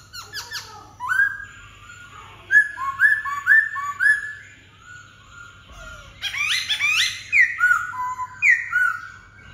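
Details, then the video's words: Black-throated laughingthrush singing loud, clear whistled phrases, several rich notes sliding down then held, repeated in a lively run, with a brief pause mid-clip before a second burst of fuller, overlapping whistles. "Khướu bạc má ...!"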